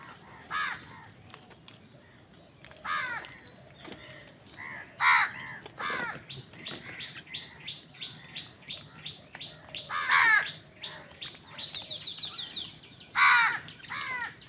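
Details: Crows gathered on a winter morning, apparently fighting for food: a busy chorus of harsh caws from several birds, some loud and near, others distant, with quick chirping notes mixed in.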